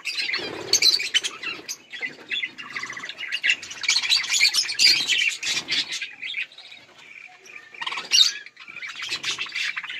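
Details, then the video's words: Budgerigars eating and playing, giving busy chattering chirps and squawky notes in overlapping bursts, several birds calling at once with brief pauses and soft wing flutters. "Budgies beautiful colors playing and chirping"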